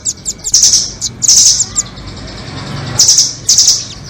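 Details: Nuthatch trapping-lure recording comparing the doraemon and red-billed types: short high chips, then bursts of dense, very high buzzy trills about half a second long, separated by brief pauses, with a faint low hum behind.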